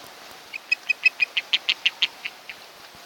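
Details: Osprey from a mated pair nesting on Kent Island, Maryland, heard by a nest camera on a July 2018 morning; a quick run of about a dozen clear, high chirped whistles that swell in loudness and then fade, over a faint background hiss.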